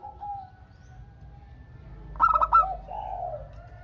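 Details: Local Indonesian zebra dove in full song, a lure so other doves answer: after soft low cooing, one short burst of fast pulsed, trilled coos, then a gentle lower coo trailing off over a faint hum.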